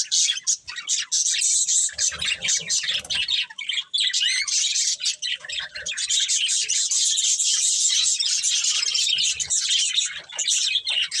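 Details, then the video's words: Steady budgerigar chatter from a breeding pair: squeaky, gurgling warbles and quick chirps pour out in long unbroken runs, with a couple of brief dips in loudness. "Cute Budgies Chirping Sounds"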